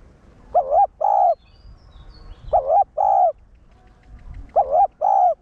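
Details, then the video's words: Spotted dove giving the one-ending cooing call used to stimulate caged males; three phrases roughly two seconds apart, each a trembling note then a longer flat coo, over soft low background noise. "Cu gáy mồi cây 1 hậu gù, thúc kích bổi điên máu ức chế. cu đất gáy"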